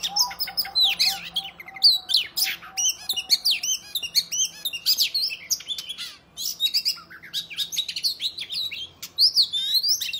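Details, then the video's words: Fighting song of a male-provoking Oriental magpie-robin: a long, rich stream of sweet rising and falling whistles mixed with harsh buzzy notes and rapid chatter, phrases tumbling almost without pause, with a faint low hum beneath. "Kacer gacor tarung ngobra dijamin Kacer lain langsung ngeplay Buka Ekor !!"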